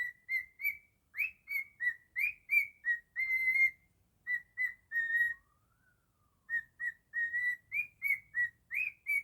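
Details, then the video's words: A pet cockatiel performing its version of Jingle Bells, rapid bright whistled notes about three per second, some with rising starts, a couple of longer held tones, a brief pause with a soft low glide, then the quick phrase resumes. "Cockatiel singing beautifully 😍 jingle bells"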